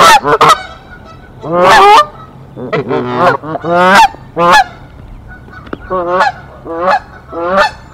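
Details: Canada goose nest defence at Decorah on 1 April 2024 against an intruding female: irregular loud honks, a long grating blare early on, then spaced single honks fading toward the end.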